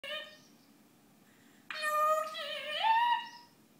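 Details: Pet parrot sings the Beauty and the Beast tune in a voice-like tone: a brief note, then a sustained sung phrase that bends upward and holds a high note.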